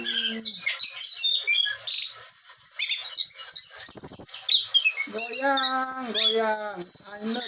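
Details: Agitated singing of a captive blue whistling thrush kept in Bogor, Indonesia. Rapid, varied high whistles, clipped chips and trills. Low, drawn-out harmonic voice-like notes come in near the end.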